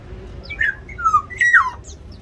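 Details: Caged black-naped oriole during a territorial fight in an aviary; a short series of clear slurred whistles, some falling and some rising then falling, spaced irregularly over two seconds.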